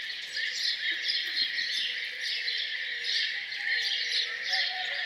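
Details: Morning birdsong around a farmhouse: a continuous high chorus of overlapping chirps and trills, fairly even in loudness, with a faint lower whistle near the end.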